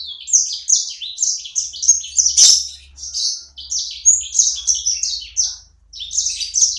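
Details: Small pet sanger bird belting out an active, gacor song. Quick, high, twittering notes tumble in bursts, with a short dip in volume near the end. A faint low hum sits underneath.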